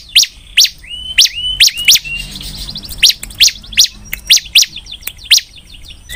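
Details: Bar-winged prinia singing actively: sharp high chirps repeated at a steady pace, joined early on by a few clear, level whistled notes, and later by a soft rapid trill in the background.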